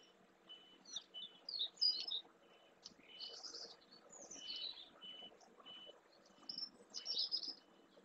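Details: Whinchat foraging on the bed of a dried lagoon in the Doñana marshland, Spain, possibly a migrant or a wintering bird. Short level whistled notes alternate with scratchy, higher chirps and buzzy twitters in an irregular, fairly quick sequence.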